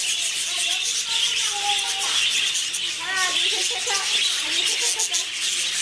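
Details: Budgerigars in the Seoul Zoo tropical bird house, possibly mating: short, scratchy warbles and squeaky notes in quick bursts over a steady hiss of background noise.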